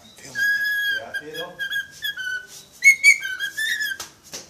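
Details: Pet parrot that whistles tunes and wolf whistles, indoors, gives drawn-out rich whistled notes with a buzzy, harmonic-laden tone, held level, then a higher rising phrase near the end.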